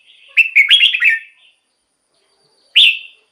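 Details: Caged-bird decoy song of a red-whiskered bulbul: one rich, quick warbled phrase of slurred whistles, then a pause and a single loud descending whistle.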